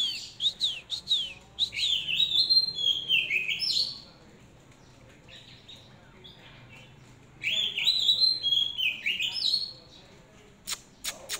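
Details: Oriental magpie-robin hand-raised on commercial feed, singing: two bursts of varied whistled phrases with rising and falling slurred notes and sharp chips, separated by a quiet gap of about three seconds.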